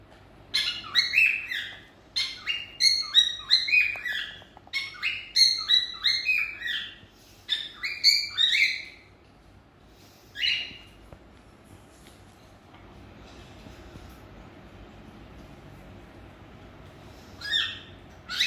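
Cockatiels chattering in quick bursts of bright, warbling chirps and whistles, then a few lone calls.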